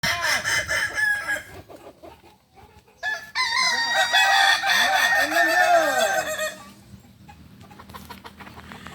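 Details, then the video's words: Kukuak balenggek chickens crowing at a contest final in Ampang Kualo, Solok city, on Sunday 8 September 2024; long multi-syllable crows with stacked harmonics and wavering, bouncing notes, overlapping roosters, then quieter background crowing. "Final latberan ayam kukuak balenggek"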